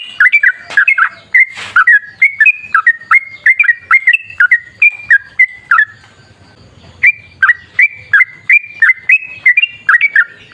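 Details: Lure recording of a chatty sooty-headed bulbul in 'ropel ngalas' song: repeated liquid two-pitch whistled phrases, a brief pause near the middle, then the run of phrases resumes.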